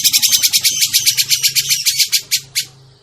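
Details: Grey-cheeked bulbul trapping lure: a fast, steady series of harsh, buzzy chattering notes, about four per second, fading out near the end, with a faint low hum underneath.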